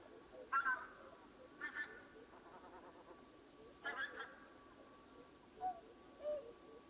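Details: Distant swans before dawn give short nasal honks spaced about a second or more apart, with a few soft lower notes near the end over a hissing background.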